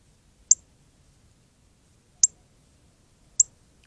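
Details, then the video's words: Northern cardinal, very red, chirping as it bathes in the Arizona desert: three crisp, high, clicky chips, each a sharp instant note, about one to two seconds apart. "Very Red Cardinal Chirps and Bathes"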